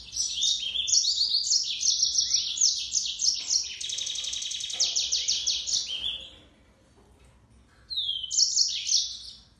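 A yellow-fronted canary sings a fast, jumbled run of bright twitters, high trills and a buzzy rattle, then pauses before another burst.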